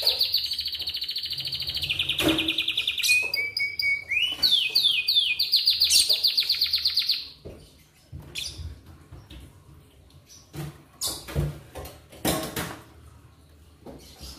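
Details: Morning Atlantic canary song meant to get other canaries singing: loud, rapid rolling trills and quick descending chirp series for about seven seconds, followed by scattered clicks, knocks and faint background noise.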